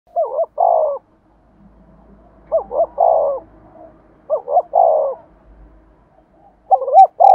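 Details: Decoy spotted dove calling in the prized 'giọng thổ' voice style, from Vietnam: mid-pitched, rolling coo phrases, each a quick double note then a longer throaty coo. Phrases repeat about every two seconds, with faint low background murmur.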